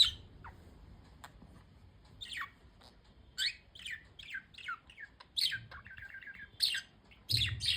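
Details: Chirpy budgerigars: scattered high tweets build into quick runs of sweeping chirps and a short, even warbling trill in the middle, ending with a louder cluster of notes.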